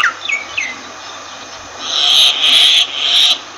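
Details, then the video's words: Myna giving two or three descending whistled notes, then three long harsh rasping calls in a row. "Myna Bird sound Voice"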